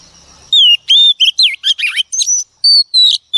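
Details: Wild-caught female Oriental magpie-robin singing to excite males: a quick run of loud, clipped, sweeping whistles and buzzy slurs, ending in two long steady whistled notes.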